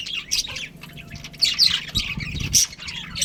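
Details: Pet budgerigar pair producing high squeaky chirps and harsher squawking notes in uneven bursts, with low thumping sounds near the middle.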